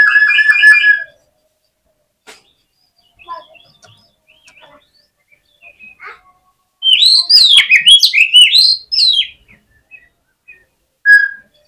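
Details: Oriental magpie-robin singing its fighting song to provoke rivals. It opens with a held, buzzy whistled note, has a quiet gap with scattered faint notes, then a loud two-second burst of fast, twisting whistles.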